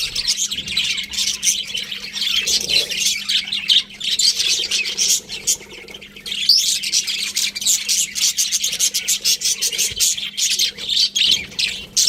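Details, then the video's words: Budgies chirp in a long, busy flock chatter: rapid high tweets, squeaky warbles and occasional harsher squawks, with a brief quieter patch near the middle. "Cute Budgies Chirping Sounds"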